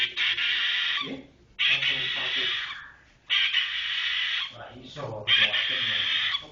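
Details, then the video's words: Long-tailed shrike (cendet) 'roll speed rapat' song: long harsh, buzzy rattling bursts of one to two seconds, separated by short pauses, with faint voices in the background. "cendet roll speed rapat"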